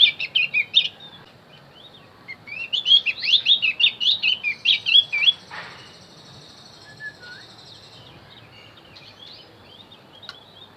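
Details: Javan grey-throated white-eye song used to lure wild birds: quick high chirps, then a dense run of rapid twittering notes for about three seconds. After that come scattered faint tweets and a brief whistle before quiet.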